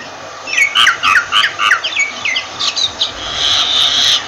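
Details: Myna calling with a string of about eight clear, curving whistled notes in quick succession, then a few softer chirps and a long, drawn-out harsh wheezing screech at the end.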